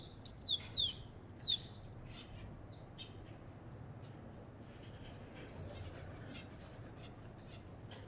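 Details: African goldfinch gives a quick series of about six sharp, descending high notes, then falls quiet apart from faint scattered chirps.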